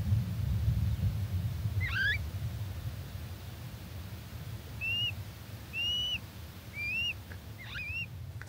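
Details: Three-day-old little owl chicks, filmed June 2024, call out for their mother with short, arched, rising whistled cheeps spaced about a second apart over a steady low rumble; finding: Little owl.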